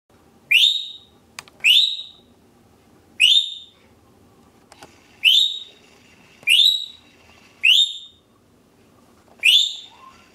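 An African grey parrot gives seven loud, piercing whistles that sweep sharply upward, spaced about one to two seconds apart over a quiet indoor background.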